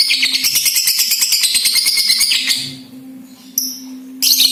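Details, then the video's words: Balibu (young) lovebird ngekek used to coax other lovebirds into singing: a long, harsh, rattling high chatter of quick pulses that fades out, then a brief quiet before two short shrill bursts. "LOVE BIRD BALIBU , PANCINGAN LABET BALIBU AGAR CEPAT GACOR DAN NGEKEK RAJIN BUNYI"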